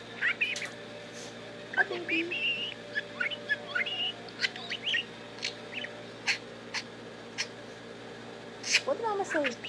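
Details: Tame talking budgie kept as a pet, giving a long stream of scratchy warbles, sharp clicks and brief whistled notes with short pauses, over a steady low room hum.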